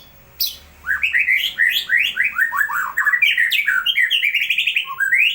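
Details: Energetic white-rumped shama tutor song: after a brief pause, a steady stream of downslurred whistles and chattering rolls, sometimes broken by sharp high squeals, ending on a rising whistle.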